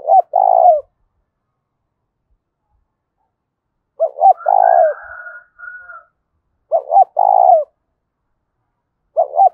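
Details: Loud, resonant 'thúc bổi' fighting coo of a spotted dove. Repeated phrases each open with clipped notes and swell into a long, buzzy, falling coo, with a softer rasping murmur between phrases.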